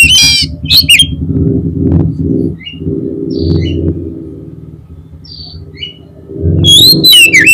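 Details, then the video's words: Magpie-robin song used as bait to make a rival kacer respond: loud whistled flourishes open and close the stretch, with faint high chirps between, over a steady low rumbling hum. "PANCINGAN KACER PALING CEPAT DI RESPON KACER LAWAN PASTI CEPAT NYAUT"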